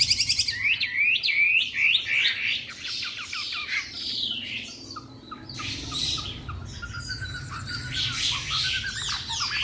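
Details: Three-month-old caged white-rumped shama in Hanoi sings an opening burst of rapid looping whistles, then a pause, followed by softer scattered chips and twitters against light background noise.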